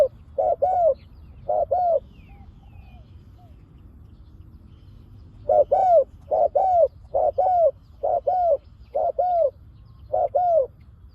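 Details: Decoy spotted dove used to lure wild doves, giving a sharp pak khruen call. Two short bursts of hooked, mellow coos, then a longer run of about eight paired coo phrases at a steady pace over quiet background hiss.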